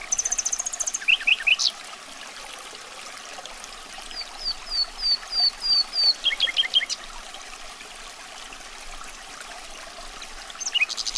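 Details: Common nightingale (Luscinia megarhynchos), song.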